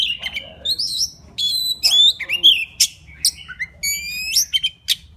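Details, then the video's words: White-rumped shama, a wild bird, sings to attract a female with clear whistled phrases, upward-sweeping notes and sharp clicks, delivered in bursts with short gaps between them. "Tiếng choè than rừng hót gọi mái"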